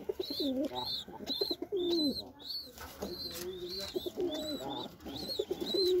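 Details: Low, throaty cooing from a white Lokkha pigeon of Indian stock, several warbling phrases that sag downward, with repeated bright little chirps from other birds sounding throughout.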